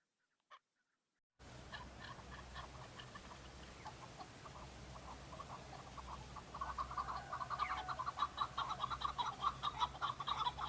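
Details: Several male Chukar partridges calling on Bamo mountain in Kurdistan during breeding season, fighting and displaying to females; rapid overlapping chuk notes build up in a crowded chorus over a steady low hum.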